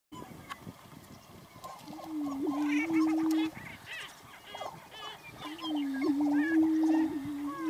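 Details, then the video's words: Lesser prairie-chicken males antiphonal booming, alternating their booms while facing each other at a territory boundary: low, hollow, sustained hoots about 1.5 seconds long, one starting near 2 seconds and the next near 5.5 seconds, with chattering and cackling of other birds throughout. "Antiphonal Booming in Lesser Prairie-Chickens"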